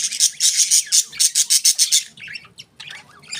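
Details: Budgerigars kept as pets give a fast series of harsh, buzzy chirps, about ten evenly spaced notes in two seconds, then softer twittering warbles with brief pauses.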